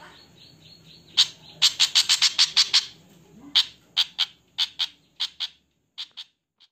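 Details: Javan flycatcher; alarm call; warning of danger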